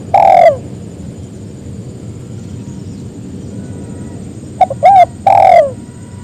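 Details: Spotted dove calling so that others join in, giving a drawn-out descending coo, then after a pause two short clipped notes and another long coo, against a continuous rumbling background noise and a faint high whine.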